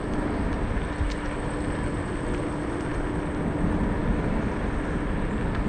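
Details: Steady broadband rumble from an electric scooter ride along the riverside, heavy low-frequency road and wind noise with a faint steady hum, no animal voices.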